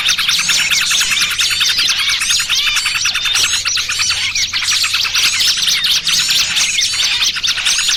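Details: Agitated chatter of numerous small birds, a trapping lure of noisy trucukan and distressed 'burcil kejepit' calls; sharp piercing chirps and rapid hooked notes pour out continuously, with a light low hum behind.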